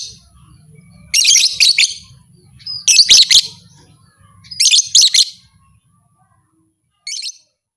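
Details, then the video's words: Lovebird calls said to excite other lovebirds to fight; three strong bursts of piercing, rapid chatter about every two seconds, followed by a short quieter chirp, with a faint low hum early on. "Suara burung lovebird ini 100% merangsang lovebird lain Jadi Fighter"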